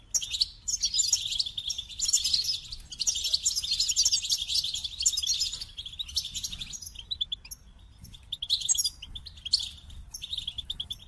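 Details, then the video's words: Long goldfinch song passage of fast, high twittering and trilled notes, rapid jangling phrases with a few quieter pauses between bursts. "The Captivating Call of Goldfinches"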